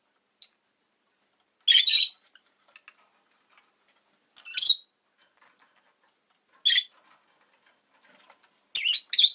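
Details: Shrill, high chirps from a rosy-faced lovebird, a short one followed by several longer harsh bursts separated by gaps of one to two seconds, with faint ticking between them.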